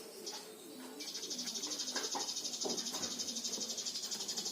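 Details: Lovebird minor song, used to train lovebirds to sing diligently: a long, even buzzy trill, fast and pulsing, starting after a short faint note and running steadily to the end, over soft low rustling.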